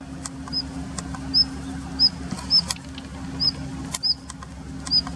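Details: Daurian redstart in a plum grove in late February 2021, holding a winter territory, gives thin, high, upslurred whistled notes about every half second to a second, mixed with faint dry clicks.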